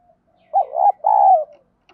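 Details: Spotted dove in the 'field voice' style, a lure call meant to provoke fighting: a low hooting coo phrase in two parts, a short wavering note then a longer even one, with no other sounds.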